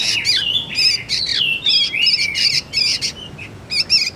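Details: Young sooty-headed bulbul calling, a recording meant for luring and tutoring magpie-robins: scratchy buzzy chatter mixed with downward-slurred whistled notes, delivered in rapid overlapping bursts with brief gaps.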